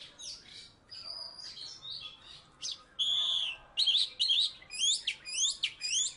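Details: Oriental magpie-robin, a former third-place contest bird from Salatiga, singing a varied run of whistled slurs, rising and falling sweeps and quick repeated chattering notes over low steady background hum.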